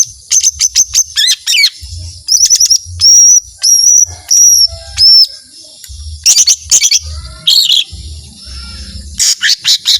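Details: Varied lesser green leafbird song in 'tembakan panjang' style: bursts of quick high chirps alternate with short, pure whistled notes and brief trills, with short pauses between phrases.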